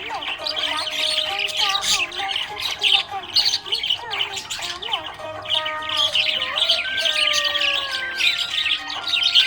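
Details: Cheerful budgerigar chattering: a long run of scratchy warbles, short squawks and little rising-falling whistled slurs, with faint background music tones underneath.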